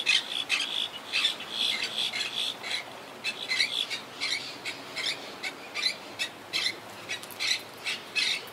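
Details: Wild Quaker parakeet colony nesting high in trees, rebuilding since hurricane Irma in 2017; continuous rapid harsh squawks and chattering notes overlapping through the whole stretch, several birds calling together.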